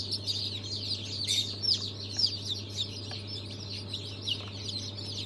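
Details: A group of just-hatched chicken chicks (Brahma, Fizan, Australorp, Legbar breeds), 3 March 2023, make shrill, overlapping cheeps, roughly two per second, some louder bursts standing out above a constant low machine hum.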